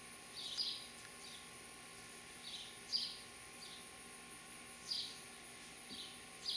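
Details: At a Lenexa, Kansas nest box in late July 2012, where house sparrow parents are raising young: short high chirps repeat every one to two seconds, some faint and some sharper, against constant outdoor hiss.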